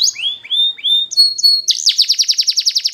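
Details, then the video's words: Canary song for training canaries: three rising slurred whistles, two short flat notes, then a fast, regular trill of rising-falling syllables. "Best Canary Sounds!! Suitable for training your canaries"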